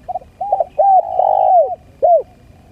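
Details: Spotted dove call used as a lure to attract birds, in the lambung kuk style; a quick double note, then slurred rising-and-falling coos running together, and a single clear coo after a short pause.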